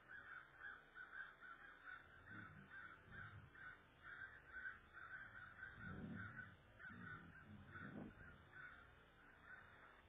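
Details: Ravens near an eagle nest on 23 February 2014 around 12:44 pm, calling while the incubating adult is away and the eggs lie exposed; a steady run of short harsh caws, about one per second, over low rumbling background.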